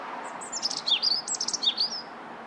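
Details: Bird chirping: a quick burst of high, thin twittering notes, short sliding and wavering chirps clustered over about a second and a half, over a steady low background hiss.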